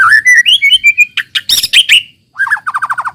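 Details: White-rumped shama singing, played to make untrained shamas start singing quickly: clear rising whistles, a loud harsh burst, then a quick series of about seven repeated downslurred notes.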